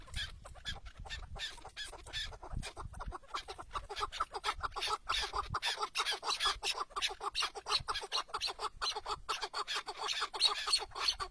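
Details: Chukar partridge tethered as a hunting decoy outdoors, producing a rapid, rattling stream of short chuck notes that builds in loudness, with faint wind behind.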